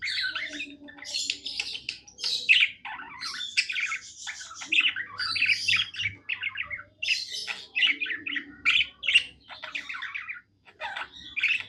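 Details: Happy pet budgie sings a steady stream of chattering, squawky notes and brief whistles, broken by short pauses.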